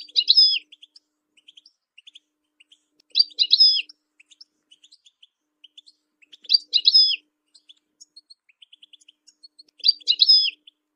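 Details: European goldfinch song used to train and stimulate other songbirds: a short twittering phrase repeated about every three seconds, with soft scattered ticking notes between phrases.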